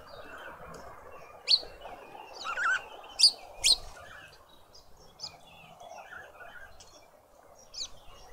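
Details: At a garden feeder in Pretoria, South Africa, a Red-billed quelea is heard as sharp, high chips. A few loud notes come close together early on, then fainter chirps are scattered over quiet background noise.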